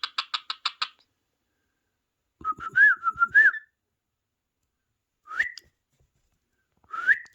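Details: Talking pet parrot, watching parrot videos on a phone, starts with a quick burst of six clicks, then a wavering whistled phrase like speech, followed by two short upslurred whistles spaced a second and a half apart.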